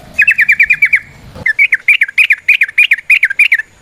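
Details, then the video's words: Yellow-vented bulbul singing in the wild, a long rapid 'ropel panjang' song used as a lure: a quick burst of about eight clipped chirps, a short gap, then a string of bouncy, slurred notes repeated several times a second. "Trucukan GACOR ngalas ROPEL PANJANG suara alam"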